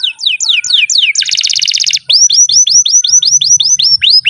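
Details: Canary singing a long, vigorous song: a run of quick descending whistled sweeps, then a dense buzzy rattling trill, then a steady series of bright rising-falling whistles, about four per second.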